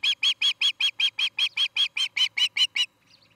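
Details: Osprey at a nest near treetop homes in Charlo, Montana, one of a pair building a new nest, recorded on a nest camera on an August evening; a rapid run of about fifteen loud, sharp whistled chirps, evenly spaced, then a faint trailing note.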